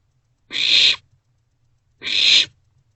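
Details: Begging barn owlet in a nest box on the night of 27 March 2024, as owlets share food: two even, wheezy hissing screeches about one and a half seconds apart, otherwise quiet.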